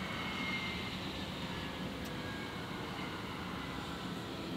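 Continuous roar of an aircraft engine overhead with a single sharp click midway and no animal calls.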